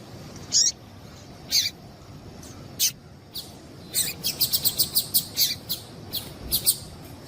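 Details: Female Double-collared seedeater calls meant to excite a male into song: a few spaced high chips, then a rapid run of about eight quick high notes, then further scattered chirps against a faint hiss.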